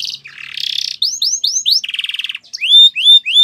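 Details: Canary song for training canaries, in Spanish Timbrado style: a buzzy trill, then a run of rising whistled notes, a rapid rattling tour, and clear upward-sweeping whistles repeated about three per second.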